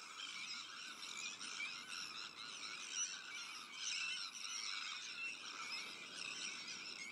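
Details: Sandwich tern breeding colony shared with black-headed gulls, Arctic terns and common terns; a dense, continuous chorus of harsh, grating calls from many birds overlapping without pause.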